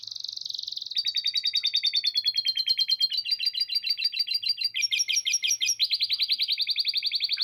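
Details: Long canary song with lovebird chatter inserted: a sustained high buzzy note, then a series of rapid trilled tours that shift pitch every second or so, each a dense run of crisp repeated syllables, loud and clean.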